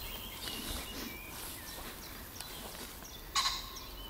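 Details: A disturbed common pheasant crows in bushes on 29 June 2020: one harsh, loud, doubled crow near the end, after several quiet seconds of steady outdoor hiss.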